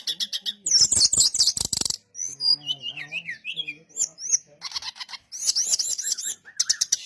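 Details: Lure song of a brown-chested jungle flycatcher, meant to draw replies from other birds: dense rapid clicking bursts alternate with wavering whistled notes and rising chirps over about seven seconds.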